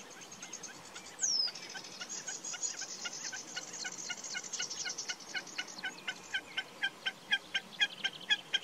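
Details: Common snipe calling: a rapid, evenly spaced string of sharp, clicking 'chip' notes that grows clearer and more regular toward the end. A brief high squeal comes early, over a hissing background chorus.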